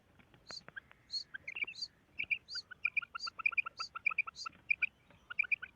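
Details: Female quail calls as rapid doubled chirps, steady and repeated, while a second bird adds high squeaky notes early on.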